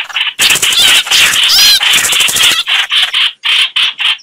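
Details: Chao chảo bird sound used as a trap lure: loud, dense harsh chattering with a burst of squeaky wavering notes, then separate raspy calls in quick succession.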